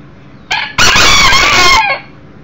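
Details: One-year-old Millefleur d'Uccle rooster, a younger beta male, brought indoors for a visit: a short rough opening note, then a loud, harsh, sustained crow lasting about one second that ends with a falling tail.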